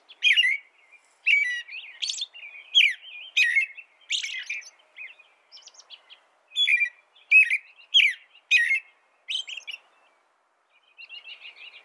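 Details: American robin singing a long run of caroling phrases, loud slurred whistles alternating with softer twitters, a pause near the end followed by faint, quieter notes.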